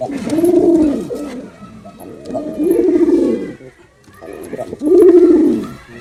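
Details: Male pigeon in performance, repeating deep, rounded coos roughly every two seconds, each phrase building and fading, in a quiet indoor space.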